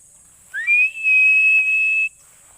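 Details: One loud, clear call of a Philippine eagle: a short rising note, a brief break, then a long, even, high whistle held for about a second.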